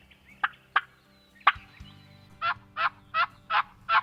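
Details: Wild Turkey during a spring hunt with a tom on the hillside: three sharp, clipped notes spaced irregularly, a pause, then five fuller hoarse notes evenly repeated about three per second.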